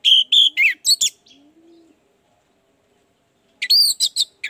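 Orange-headed thrush singing two quick bursts of rich, varied high phrases, slurred and warbling, separated by a pause with a faint low whistle-like tone.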